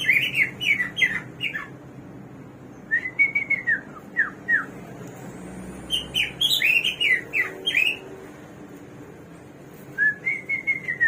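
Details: Hwamei, known locally as samyong or garuwa and praised as a bird of 1001 voices, in full song: bursts of rich warbled notes alternate with calmer strings of clear, falling whistles, repeated several times.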